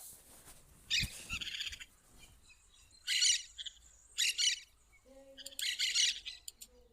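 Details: Wild plain parakeet in natural surroundings giving four loud, buzzy, grating screech bursts about a second apart, each a dense rasping chatter, followed by a few soft low tonal notes near the end.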